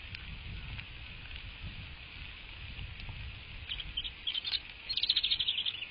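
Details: American bald eagle at the nest, picked up by a live cam on a March 2024 morning. After a quiet stretch of low rumble, high chirps start and build into a fast, evenly repeated piping series at the close.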